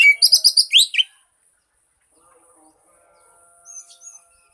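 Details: Oriental magpie-robin (kacer) song used as a lure to prompt a silent bird to sing: about one second of quick, high whistled and slurred notes, then near silence with a faint later chirp.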